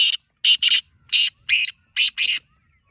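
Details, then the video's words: Black francolin, a kept bird, calling: harsh grating bursts delivered as a single note, then a quick pair, then two singles and a final pair, with short silent gaps between. "Kala Teetar Awaaz Kholne Ka Tarika | Black Francolin Calling Formula"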